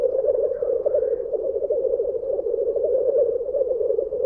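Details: Black grouse lekking at World's End, North Wales, in March 2017, fill the air with a steady, low, dove-like bubbling that rolls on without a break, with a brief higher hissing note near the start.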